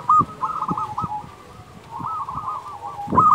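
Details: Local zebra dove song meant for luring and training other doves: short looped cooing notes at the start and end, a softer drawn-out coo run in between, with faint knocks in the background.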